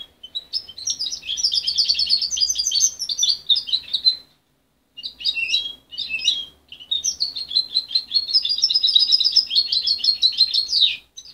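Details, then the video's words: Juvenile goldfinch hybrid, raised by its mother and separated at 23 days, promising though still muddled: long fluent runs of fast, high twittering and chirps, broken by a brief pause midway. "Mixto de jilguero joven"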